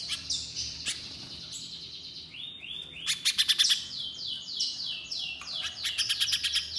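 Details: Little spiderhunter song for training caged birds: high slurred whistles and downward sweeps, then bursts of rapid sharp chipping notes at the start and end.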